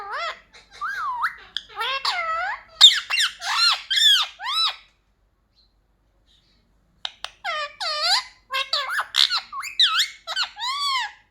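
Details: Pet talking parrot trained to say "mummy papa" utters quick bursts of arched, harmonic-rich squawks and squeaks, falls silent for about two seconds, then resumes with a second lively run of wavering syllables.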